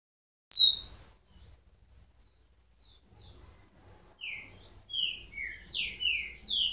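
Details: Rufous-collared sparrow song: slurred descending whistles around midrange, a few sparse notes then a run of five clear downslurred whistles near the end, faint low rumble beneath.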